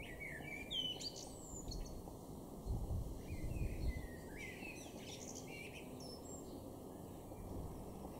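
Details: Eurasian blue tit in a garden in Norden, East Frisia, northwest Germany, in April 2021, giving thin, high, quickly falling notes at irregular intervals, with other faint chirps over a steady background hum and low outdoor rumble.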